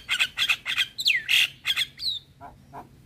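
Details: Black-winged starling singing, from a training recording: quick repeated harsh chirps, a sweeping downslurred whistle, then a higher whistle and softer trailing notes.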